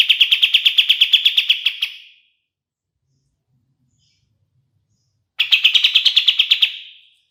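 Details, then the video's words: Song of the black-capped bulbul (kapas tembak), a master recording for training songbirds: two short bursts of fast buzzy repeated notes, each about two seconds, fading at the end, separated by a few seconds of silence. "SUARA KAPAS TEMBAK SUPER JERNIH UNTUK MASTERAN BURUNG JUARA"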